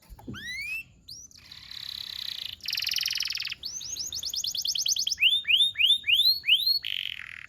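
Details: Domestic canary singing a tutor song meant to train young canaries to sing: sharp rising whistled upsweeps, then a long buzzy high roll, a dense rattling passage, and a closing run of arched notes about three per second.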